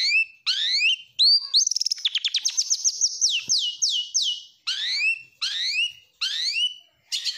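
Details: A stressed Oriental magpie-robin, recorded as a trigger and daytime tutor for other magpie-robins, sings loudly and agitatedly: sweeping downslurred whistles, a fast stuttering run of sharp notes, then bright falling phrases about once a second.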